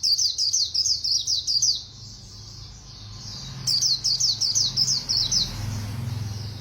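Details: Fast-singing white-eye, Khuyên Líu style: two rapid strings of high, sharply slurred twittering notes, each about two seconds long, separated by a thin continuous warble, over faint low background hum.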